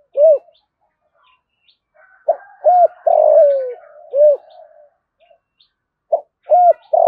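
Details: Spotted dove cooing to provoke other doves: rounded low coos, then a phrase of a quick note, a rounded coo, a long falling coo and a closing coo over soft murmuring, repeated at the end.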